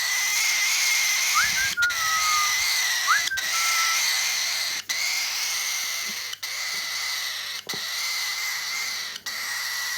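A young cockatiel gives a steady, harsh, wheezy rasping, with a few faint whistles mixed in.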